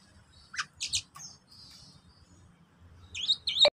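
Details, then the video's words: Oriental magpie-robin (kacer) song played as a lure to prompt other magpie-robins to sing quickly: a quick burst of sharp rising-and-falling sweeping notes, a thin high whistle, then fast warbled high phrases ending in a sharp click. "Pancingan Kacer agar cepat bunyi super ampuh"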